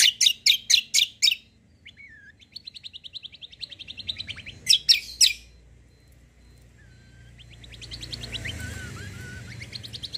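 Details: White-eye lure song intended to prompt other birds to reply: rapid run of sharp chirps, then a long fast trilled series, more chirps, and a rushing noisy wash with softer whistles toward the end.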